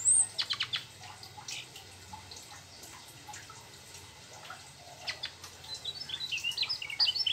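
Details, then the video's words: Mugimaki flycatcher in energetic, continuous rolling song said to include phrases borrowed from the sooty-headed bulbul; short bursts of high, thin chirps and rapid twitters separated by quieter gaps, with a low steady hum underneath. "Sikatan mugi maki gacor ngerol bongkar isian trucuk"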